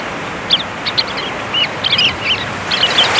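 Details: Sanderlings on a North Sea beach on Texel, chasing waves to feed, give short, high 'twick' notes in scattered overlapping bursts over a steady rush of surf and wind.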